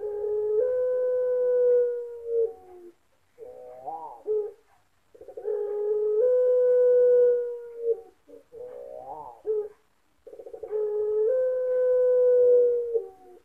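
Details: Champion Puter Pelung dove from an online bird-voice contest in Sragen, Indonesia, October 2021: three long, drawn-out level coos, each followed by a short wavering tail, repeating about every five seconds.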